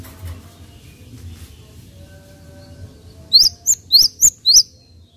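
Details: Java sparrow song aimed at stimulating other birds: after a stretch of faint background hum, five loud, high, rising chirps arrive in quick succession near the end.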